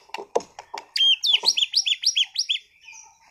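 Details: White-rumped shama, a captive contest bird from Sragen, Indonesia, singing energetically. Several dry clicks come first, then a fast series of high, squeaky looping notes repeated about three times per second, fading out.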